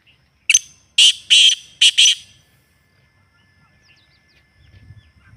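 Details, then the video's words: A black partridge (kala teetar) gives a burst of four or five loud, harsh, ringing notes in about two seconds, then falls quiet apart from faint rustling. "اصلی تیتر کی آواز"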